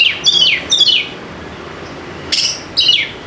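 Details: White-rumped shama singing as a lure for birds slow to sing, with short bursts of high, rapidly descending chattering notes separated by a brief gap.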